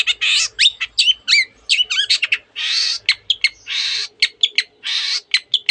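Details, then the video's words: Long-tailed shrike singing densely, mixing canary imitations with other birds' phrases: harsh rasping bursts alternate with sharp high chips and zigzag whistled slurs, and a faint low hum runs underneath. "cendet gacor nembak nembak rapat isian kenari dan banyak jenis burung yang masuk masteran"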